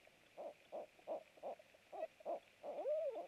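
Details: Night nest camera recording of a barred owl at a food delivery, 27 March 2017 at 23:49; six measured hoots about a third of a second apart, closing with a long arched, slurred call.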